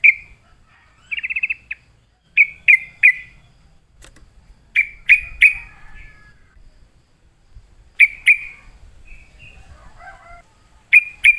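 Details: Sooty-headed bulbul coaxed into song answers with one brief rapid trill and scattered sharp, down-slurred notes in twos and threes, plus a few softer warbled phrases, in a quiet setting.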